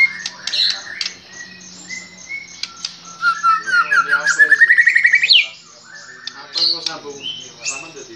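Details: Excited white-rumped shama (murai batu) provoked by a lure, unloading its full repertoire: varied loud whistles and chatter, including a fast run of about a dozen repeated rising notes, then more warbled phrases.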